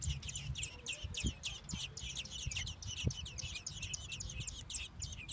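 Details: American robin nestlings in Minnesota being fed by male and female parents: a steady run of sharp, high, rasping chirps, roughly five per second, with a few dull knocks and low rumble underneath.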